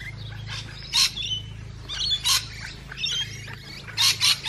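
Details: Musk lorikeets calling while feeding: loud, piercing screechy bursts repeated irregularly, some in close pairs, over a constant low hum and softer chattering between calls.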